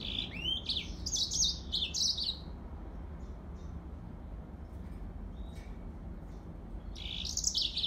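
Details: Yellow-fronted canary giving a lively run of high, slurred, up-and-down chirps for about two seconds, then near silence with faint clicks, and a final short burst of bright twittering.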